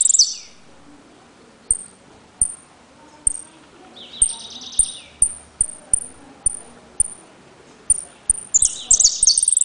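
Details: A caged saffron finch gives sharp, high whistled notes at an uneven pace, broken by bursts of rapid, buzzy trills at the start, middle and end.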